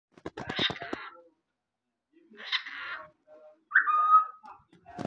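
A cockatiel mimics speech in two short bursts of raspy, word-like syllables, then gives a clear rising whistle that levels off.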